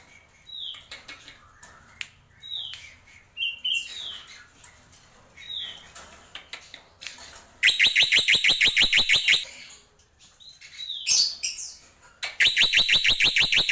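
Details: Black-winged myna singing in the tembakan style: scattered short whistled upslurs, then two bursts of rapid, loud, evenly repeated harsh notes, each burst lasting about two seconds.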